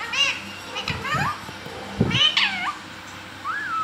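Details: Pet green parrot talking: a string of short harmonic vocal notes that bend up and down, some sliding downward, mixed with a few low thumps and a final drawn-out falling note.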